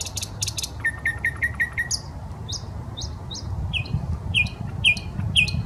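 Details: A common nightingale in a Saint Petersburg park on the Smolenka sings. It opens with a dry rattle, then gives a rapid run of level chips and a string of slurred upward whistles repeated in a quickening pattern, over a low background rumble.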